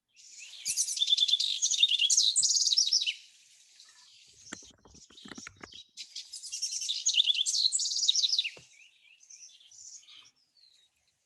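House Wren giving two bubbly, rapid songs about three seconds each, high chattering notes tumbling down in pitch, with a few faint low thumps between them.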